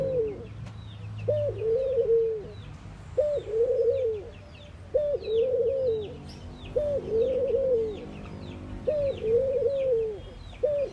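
Mourning doves give soft, low, hollow coos in short arched phrases, repeated about every two seconds, while small birds chirp faintly and high in the background.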